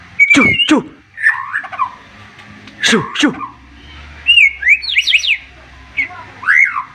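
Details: White-rumped shama in agitated song with sharp 'shots': steep falling whip-like sweeps, then fluttering whistles and a fast burst of rising, zigzagging notes near the end, with a low steady hum underneath.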